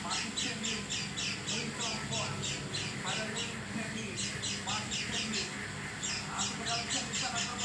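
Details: Oriental white-eye producing a strange call unlike its usual sound: bursts of grating, high, squawky notes in rapid series, with brief breaks. Faint lower chirps come from behind.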